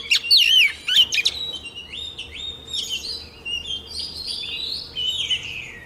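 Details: Female white-rumped shama, kept caged, singing to push the males into strong song; loud looping whistles at the start, followed by softer buzzy, drawn-out warbled phrases.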